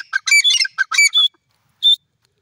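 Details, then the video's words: Grey francolin giving a short burst of harsh, squawking calls: five or six quick strident notes, then silence and one final ringing note near the end. "gry francolin bird voice"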